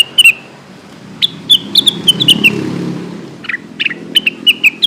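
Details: Lesser green leafbird lure call used to prompt birds to sing, calling companions: bright whistled notes in short downslurred bursts, a brief rising buzzy note near the middle, over a faint low rumble like a passing vehicle.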